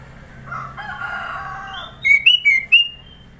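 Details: Sooty-headed bulbul, known locally as kutilang, in Sidoarjo, East Java, singing a varied song. A low hum gives way to four clear, whistled notes in quick succession, alternately rising and falling in pitch.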